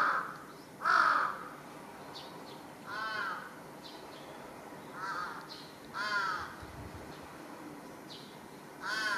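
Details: Residential-area large-billed crow making a racket on a utility pole, recorded 1 July 2023: two loud raspy caws open, then irregularly spaced, quieter hoarse calls every second or two.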